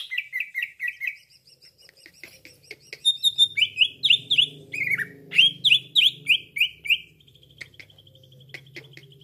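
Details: Cucak ijo played as a lure for trapping: a rich, varied run of loud whistled notes, many rapid downslurred phrases repeated about three per second, with brief chattering and a steady high tone near the end.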